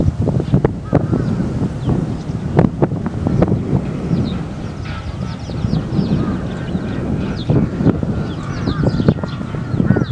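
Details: Eurasian tree sparrows, a big wild flock in a wildlife sanctuary in Japan during strong wind; thin scattered chirps overlap irregularly while loud gusty wind roar dominates the background.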